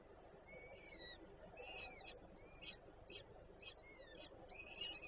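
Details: At a Warsaw nest site in Żerań, Poland, peregrine falcons with three young, 25 April 2024: clear, high, thin whistles with bent, downslurred shapes, given in quick bursts every second or so above a low urban rumble.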